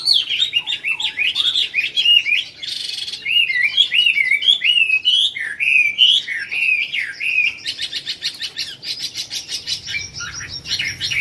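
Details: Prize-winning caged Chinese hwamei at a hwamei song competition, My Dinh, Vietnam, 19 July 2020, pouring out a long, rich song of fast swooping whistles and trills, broken by brief harsh rattling bursts near the end.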